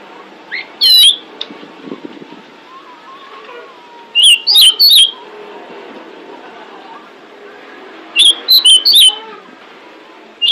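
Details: A female pied bushchat calls to attract males, producing bursts of three or four sharp, high whistled notes spaced about four seconds apart. Soft warbling from other birds fills the gaps.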